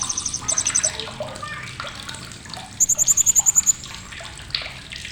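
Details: Sharp chattering from a blue-crowned hanging parrot: a short pulsed burst early on, then a clear run of about ten evenly spaced, very high clicks lasting a second, over a splashing background with softer chirps.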